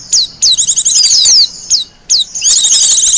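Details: Wild Japanese white-eye, a recording suited for luring birds and as master song for training, gives very high, rapid twittering bursts with sharp down-slurred whistles, broken by brief pauses.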